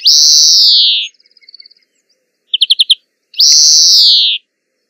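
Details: European greenfinch singing in nature: long buzzy wheezes falling slightly in pitch, each about a second, separated by a short run of soft notes and a quick burst of bright trilled chirps.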